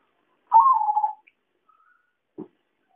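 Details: Perkutut, the zebra dove, in a trapping lure recording: one rolling, vibrating coo sliding gently downward, followed by a faint whistle and a single dull knock.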